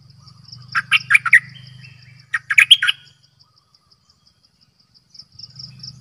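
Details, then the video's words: Bulbul used as a decoy, singing two lively warbled phrases back to back, accompanied by a low droning hum and a steady high pulsed chirring. "เสียงนกดอกแตงEp.112 Birds sounds #นกต่อเจ้าขันเงิน Suara burung merbah lekir"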